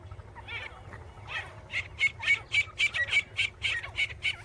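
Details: Grey francolin, known locally as teetar, calling; after a quieter, scratchy start, loud harsh high notes repeat rapidly, roughly four per second, with a steady low hum underneath.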